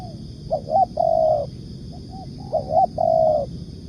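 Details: Lure recording of a spotted dove, the tekukur, giving two matching coo phrases about two seconds apart. Each phrase has short bent notes followed by a sustained steady coo, with low background rumble.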